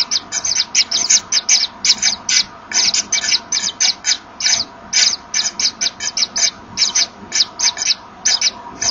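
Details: In a Common Kingfisher nest on 24 August 2013 at 14:01, the male and female blow at each other while the female comes in with a small fish for the young. Clipped, breathy hisses sound in irregular quick clusters.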